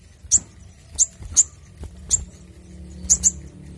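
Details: Brown-throated sunbird (sogok ontong) giving clear, loud song notes used as lure and training song: several very high, sharp chips spaced irregularly, some paired, over a quiet low background hum.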